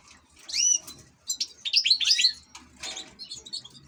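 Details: An ornamental-bird European goldfinch gives a quick, high, tinkling burst of twitters and slurred upward whistles in three short bursts, with a light background rumble.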